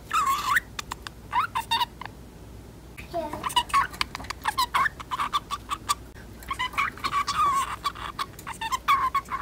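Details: A 10-month-old female pet budgerigar chatters in fast, scratchy warbles with quick clicks and squeaky rising notes in a quiet room, talking by mimicking another budgerigar's speech.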